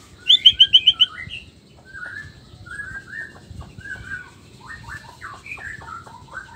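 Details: Male white-rumped shama of the black-tailed Nias form, song used to provoke other males; quick rattle of high notes opens, then a string of varied slurred and whistled phrases over a low background rumble.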